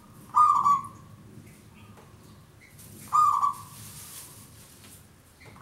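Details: Singing local zebra dove, its long song used to lure birds for trapping: two strong coos about three seconds apart, a third starting at the end, with faint hiss between.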